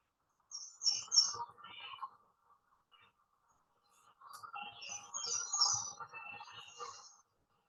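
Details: American redstart singing in a forest targeted for development; two bursts of high, thin, rapid chirping phrases, the second longer and more varied, over a steady low hum of traffic.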